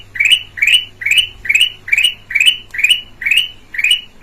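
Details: Red-eyed black-crested bulbul with a clear voice, kept as a lure for other birds: a rapid series of nine short, bright chirps sweeping upward, about two per second, with a faint low hum beneath.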